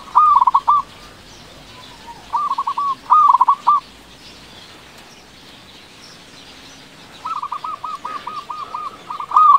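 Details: Local loud-voiced zebra dove giving three bursts of quick, mellow cooing notes, each phrase a rapid rolling series, over a faint background hiss.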